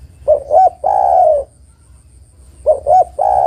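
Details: Female spotted dove calling a male, giving two brief hollow coos then a drawn-out, slightly trilling, descending coo, with the next phrase beginning two seconds later over a quiet low background hum.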